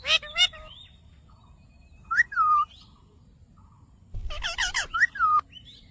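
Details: A ringneck parrot says "Mitthu Mitthu": an opening harmonic two-note phrase, a long falling whistle, a pause, then a rapid cluster of voice-like syllables ending in another falling whistled slur.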